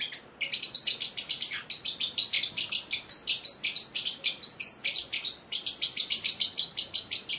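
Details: Eight-week-old male Celestial parrotlet, a caged pet, singing a rapid, continuous stream of sharp high chirps and twitters, several notes per second with brief dips, steady throughout on a quiet indoor background.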